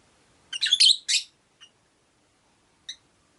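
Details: Rosy-faced lovebirds, five housed in a cage beside a window; a rapid cluster of four scratchy chirps, then two faint isolated squeaks after short gaps.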